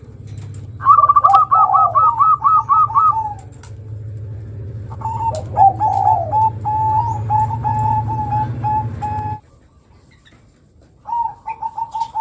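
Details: Local zebra dove long cooing song: a fast pulsed trill, then lower drawn-out coos repeated in a steady series, over a continuous low mechanical hum that stops partway through.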